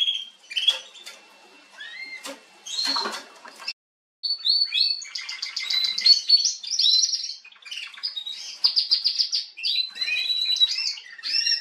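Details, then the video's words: Female canary singing on 21 January 2022: short separate chirps and bursts, a brief silence, then a long continuous warble of high trills and slurred whistled notes. "Kanarengirlitz Canary girl with a very beautiful voice"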